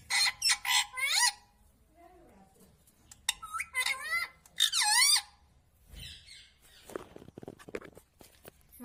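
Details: Talking ringneck parrot kept as a pet, uttering squeaky, speech-like syllables in quick bursts, followed by rustling and clicking noises indoors.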